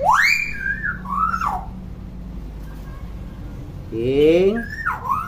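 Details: Chatty, constantly vocal common hill myna, kept as a tutor for young mynas. Starts with a loud rising-then-falling whistle and a wavering tone, a quiet gap, then a harsh nasal, speech-like burst and a final sliding whistle over a steady low hum.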